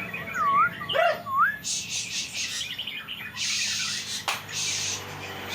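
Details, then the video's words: Sulking magpie-robin: a few clear, looping whistled phrases at the start, one dipping lower, then bursts of broad hissing noise take over. "Burung murai lagi ngambek."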